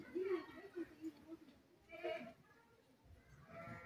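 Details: Rose-ringed parakeet (Psittacula krameri), a green Indian talking parrot, utters short speech-like phrases with a nasal, slightly raspy tone in two or three bursts, with quiet pauses between.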